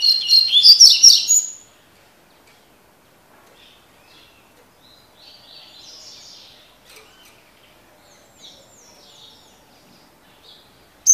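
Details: Double-collared seedeater singing the tui tui style of song: a loud, rapid burst of high twittering notes in the first two seconds, then long near-silence with a few faint scattered chirps.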